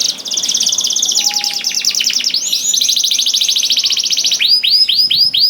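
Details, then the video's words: Canary song to get other canaries singing, mostly long fast buzzy trills at even pitch, ending in a run of swooping, rising-falling whistled notes. "DENGAR SUARA KENARI DI JAMIN KENARI NYAUT SEKETIKA"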